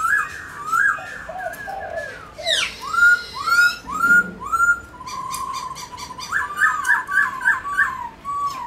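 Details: Kept Black-throated laughingthrush performing a dancing song: varied whistled phrases, a burst of harsh rising notes, then four ringing arched whistles spaced evenly, followed by a fast rolling series of slurred notes in an indoor setting.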